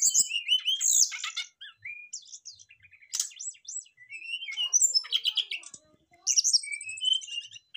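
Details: Several Brown-chested jungle flycatchers singing back and forth, used as a lure: a dense, continuous mix of high whistles, chattering trills and sharp notes with barely any pause.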